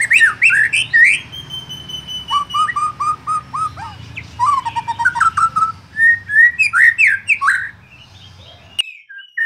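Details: White-rumped shama (murai batu) delivering a long varied song of loud whistles, rapid repeated notes and fluty slurs, over a low background rumble, with a sharp click near the end.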